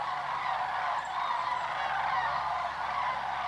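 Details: Flock of migrating sandhill cranes passing low over the Georgia–Tennessee route, several groups circling together; constant overlapping rolling bugles from numerous birds, a dense chorus without breaks.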